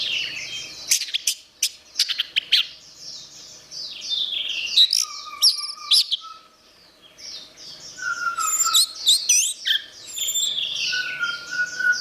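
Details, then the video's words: Orange-headed thrush singing a rich, varied song of fast sweeping high notes and buzzy trills, with a few lower drawn-out whistles midway and near the end, and brief pauses between bursts. "Suara Anis Merah"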